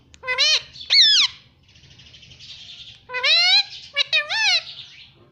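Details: Pet rose-ringed parakeet mimicking "mummy" and "mitthu": clusters of sharp, arched, squeaky syllables in two bursts, with light music playing softly behind.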